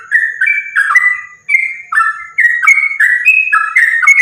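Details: Fighting-style sooty-headed bulbul song, lively and unbroken, used as a lure for other bulbuls. Quick string of clear, slurred whistles stepping up and down, chattered in short bursts with one brief gap.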